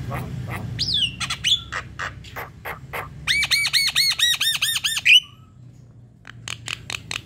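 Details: Javan myna (jalak kebo) in full song, a lure to trigger singing, 'manggut-manggut' then long rolling 'ngerol panjang': whistled slurs and dry clicks, then a fast run of arched, ringing notes ending in a rising whistle.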